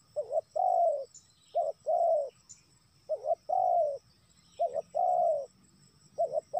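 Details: Spotted dove calling to lure wild doves, five steady phrases of two quick coos and a long drawn-out coo, with a quiet background.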